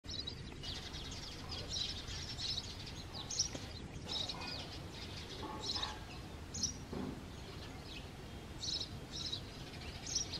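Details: House sparrows breeding and mating at their clay nest, around 20 March 2022: short, bright chirps come in scattered bursts, some quick doubled notes, over a steady low hum of background noise.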